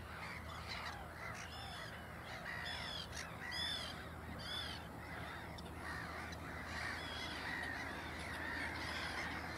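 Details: Adult black-headed gull with following chicks at Ottersaat, Texel, Netherlands: scratchy, downward-arching squawks come in bursts, with a cluster of strident cries near the middle and constant colony noise behind.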